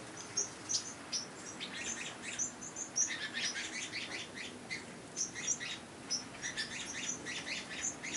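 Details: Wild birds at a garden bird feeder in coastal Santa Cruz, California, chattering together: dense, high, thin chirps and twitters in quick overlapping bursts from several callers, running without pause throughout.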